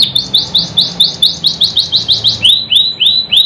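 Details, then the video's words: Canary song used to prompt quiet, non-singing canaries into song: a fast trill of bright upswept whistled notes, about five per second, then slower, fuller rising whistles, with a faint low hum beneath. "PANCINGAN KENARI MACET BISU MALAS BUNYI | CANARY SINGING"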